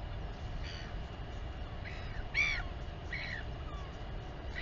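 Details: On a live nest camera at the royal albatross colony at Taiaroa Head, New Zealand, a mother feeds her chick; a few harsh, ringing calls sound, the loudest mid-clip, over low wind noise.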